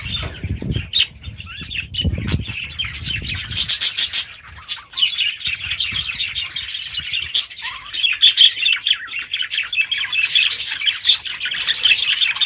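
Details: Pet budgerigars on 28 August 2017 chatter continuously in fast, scratchy warbles and sharp chirps.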